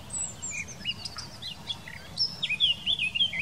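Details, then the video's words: Eurasian blackcap singing in the Wittlich valley, Germany, in 2018: a quiet, scratchy warble of quick varied notes, then a louder run of clear, fluting whistles near the end, over faint background hum. "Mönchsgrasmücke singt"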